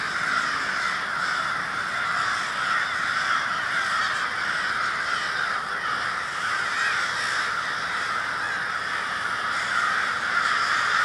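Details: Murder of crows in Minneapolis, Minnesota, on February 20, 2020: countless caws overlap into a thick, constant wall of sound that swells slightly toward the end.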